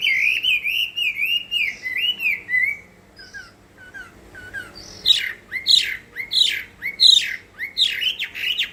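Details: Chinese hwamei in competitive fighting song: rich looping whistled phrases, then a burst of loud sharp descending notes repeated roughly twice per second.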